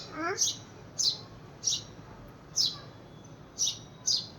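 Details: House sparrow searching for a friend that has left: six loud, high chirps about a second apart, with a brief faint voice at the start.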